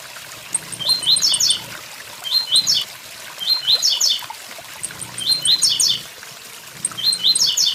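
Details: Blue-black grassquit, locally tiziu, beside a waterfall, song rendered tui tui zel zel: four bright buzzy phrases of rapid up-and-down notes spaced about two seconds apart, faint high ticks, steady water noise.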